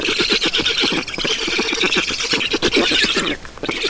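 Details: At an Estonian Black stork nest during feeding, 7 June 2019, 16:18. A quick, rattling stream of squealing notes lasts over three seconds, then drops off abruptly before a few last notes.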